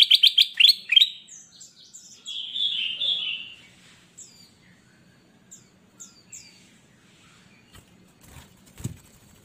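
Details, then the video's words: Ruby-throated bulbul (kutilang emas) singing energetically in captivity, recorded to train cage birds that sing little. It opens with loud, quick whistled notes, then a drawn-out warble, followed by faint scattered chirps and a single knock. "Burung kutilang Emas Gacor buat masteran burung bahan Ombyokan yang Malas Bunyi"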